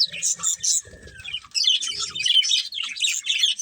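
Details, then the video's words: Budgies of a breeding pair give sharp, separate high chirps at first, then slide into a run of rapid squeaky twittering warble, with a few soft low noises mixed in. "Cute Budgies Chirping Sounds"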